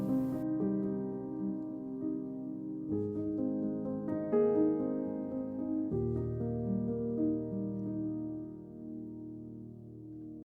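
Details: Soft, sustained piano or keyboard music with slow chord changes; no animal voice is heard.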